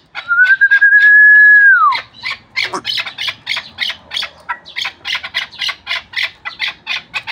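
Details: A steady clear whistle that falls away opens the sequence, followed by a chukar partridge of Pamir hunting stock repeating rhythmic, rasping clucks at about three per second.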